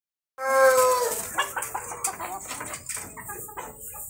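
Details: Rooster crowing at a Brazilian breeder's farm: a loud harmonic crow opening strongly, its stacked tones sliding gently downward and fading after about a second, followed by scattered clucks and faint background noise.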